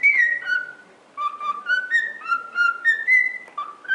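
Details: A cockatiel whistles a tune for song training: a falling opening note, then a run of soft level whistles alternating between lower and higher pitches, fairly quiet throughout.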